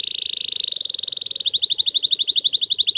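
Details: Rolling canary trill from an excited male courting a female for mating: a very rapid pulsed high tone that slows into a clear series of distinct repeated chips, steady in pitch throughout.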